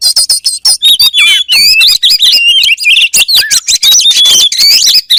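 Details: Oriental magpie-robin, known as kacer, pours out a fast, loud song of high twittering notes, wavering whistles and downslurred slides with hardly a break.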